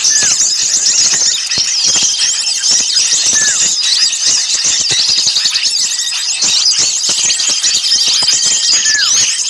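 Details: Bird-catching lure of small birds in a noisy chatter: a continuous wall of very high buzzy chirps and quick squeals, with a few lower downward slurs repeated now and then and clicks scattered across.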